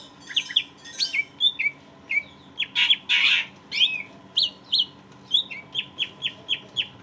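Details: Caged greater green leafbird, loud and steady, recorded to trigger song in a stressed leafbird: mixed whistled and buzzy phrases, then a long string of quick sharp downward chips repeated evenly.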